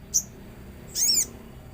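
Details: Common iora calling amid nature sounds: a short high tick followed by a longer bright whistled note that sweeps down then up, over a quiet background.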